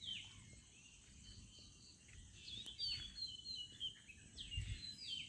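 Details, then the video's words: Village birds singing in the morning: a mix of high, thin chirps and short whistled slurs from several birds, fairly faint over a steady low hum. "birds sound at morning/ Village birds sound"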